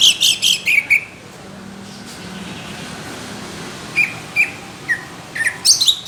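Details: Greater green leafbird with rough, thick burst song valued by judges: an opening cluster of harsh buzzy notes, a quiet spell, then scattered single whistles and a closing quick flurry.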